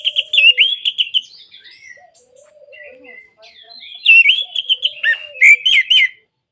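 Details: Orange-headed thrush song, played to get silent captive birds singing again: bursts of quick, sweet whistled warbling notes, a quieter stretch of soft lower whistles, then another loud burst of varied, slurred phrases.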